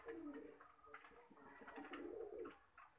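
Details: Lakha pigeon giving rolling, throaty coos that dip and rise, two or three overlapping phrases in quick succession in an enclosed room.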